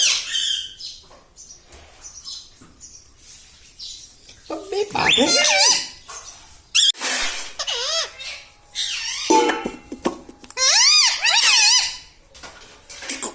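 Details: Talking parrot, said to say "Papa" and "Mummy", mixes loud, wavering, nasal speech-like phrases with clicks and short squeaks over about thirteen seconds, with quieter gaps between bursts, indoors.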